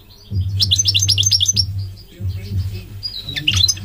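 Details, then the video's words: Goldfinch song: after a brief pause, a rapid string of high, tinkling twitters repeated quickly, a quieter stretch, then a clear thin whistle and a final jangling burst, with a constant low background hum. "The elegant migratory goldfinch sings the most beautiful singing"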